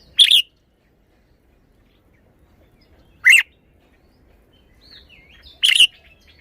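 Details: Red-whiskered bulbul showing its song style: three brief, bright chirped notes spread over several seconds, with a faint thin whistle in between and little other sound.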